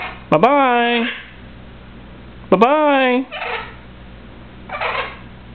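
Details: A pet male Eleonora cockatoo, which talks, whistles and rubs his beak on his owner's t-shirt, gives two harsh, voice-like talking calls about two seconds apart, each rising then falling, then softer breathy hisses, while his owner speaks nearby.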